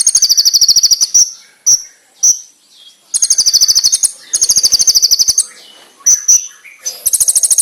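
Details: Konin (brown-throated sunbird) master song, sharp and bright: fast buzzy trills alternate with isolated, piercing high chips and short silences, ending in a dense, high rattling trill.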